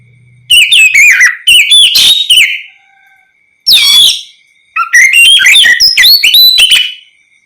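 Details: Oriental magpie-robin singing in the open, clear ngeplong style, used as bait to make other magpie-robins answer; loud bursts of varied whistled, slurred notes in three phrases separated by short pauses, over a faint steady high tone.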